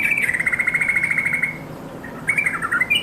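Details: A yellow-vented bulbul calling companions gives a steady, fast trill of clear chirps for about a second and a half. After a brief gap, a few bubbly descending notes follow.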